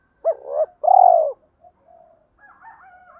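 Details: Spotted dove lure bird in giọng thổ voice, used to spur fights and draw wild doves near: a short double coo followed by one long, rich drawn-out coo, then faint background warbling.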